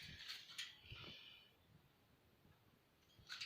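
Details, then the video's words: Green rose-ringed parakeets, caged pets playing on their cage, give harsh, grating screech bursts packed into the first second, then a quiet spell before another rasping burst at the end, with soft low thumps from the cage. "Gorgeous Green Talking parrots Having Fun on Cage/Funy Ringneck Ringtone"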